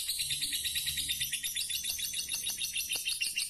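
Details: Lovebird of the fighter type from Pemalang, Central Java, delivering a loud, unbroken, shrill trilling chatter of closely packed high notes with faint lower rustling beneath.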